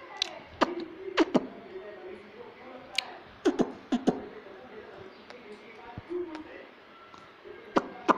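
A parrot babbles in soft, speech-like mimicry broken by sharp clicks and smacking sounds, with short bursts spaced irregularly over a quiet room background.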